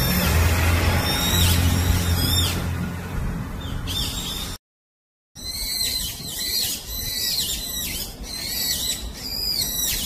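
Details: Wild Brown-eared Bulbul on the forested slopes of Gyeyangsan mountain giving loud, shrill, squealing calls in quick bursts, with a low rumble of handling or wind noise at the start.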